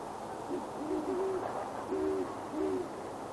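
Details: Great horned owl pair perched in a tree near Boulder, Colorado, after dark on January 21, 2016, hooting back and forth on a Sony A7s: low soft hoots in short stuttered phrases, two slightly different pitches overlapping, quiet hiss behind.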